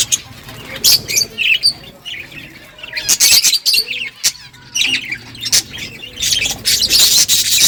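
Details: Several budgerigars chirping while eating seeds: rapid high squeaky chirps and scratchy twitters in short bursts, with clicks and rustling between calls.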